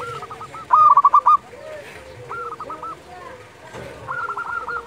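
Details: Local zebra doves heard at dusk, meant to provoke and excite captive doves: rapid staccato coo bursts, one loud rattling phrase near the start, quieter overlapping coos and lower drawn notes behind.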